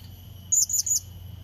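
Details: Short burst from a blue-crowned hanging parrot lure call, used to bring in and challenge a rival: three rapid, shrill, very high chirps within half a second, a faint steady high tone running throughout.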